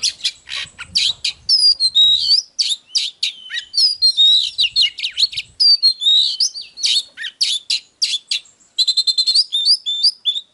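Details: Oriental magpie-robin singing in a dense, nonstop flow of whistled slurs, buzzy chirps, and quick rising and falling notes, ending with a rapid string of repeated short whistles.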